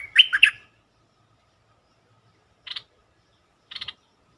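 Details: Bulbul lure song played to excite other birds: a quick warbled, bubbly phrase of several notes, then two short chirps after a pause, on a quiet background.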